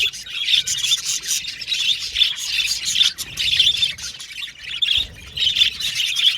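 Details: Budgies chirping in pulsing bursts, each a second or so of buzzy warble topped by high whistled squeaks, with short quieter gaps between them.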